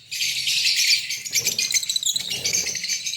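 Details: A green Fischer's lovebird pair kept for breeding in Pakistan produces an unbroken rush of high, rattling chirps, with soft lower scuffling sounds in the background.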